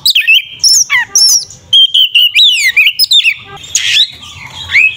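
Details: Kacer, or Oriental magpie-robin, delivering a fighting song to make rival birds agitated: loud continuous phrases of sweeping whistles, sliding trills and scratchy notes, barely pausing.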